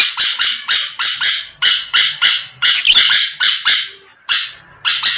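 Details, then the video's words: Bulbul known as Sooty-headed, singing to lure a quick answer from rivals, producing steady, coarse buzzy notes roughly three a second with a brief lull before the last few. "pancingan Suara burung kutilang gacor⁉️lawan langsung merespon cepat"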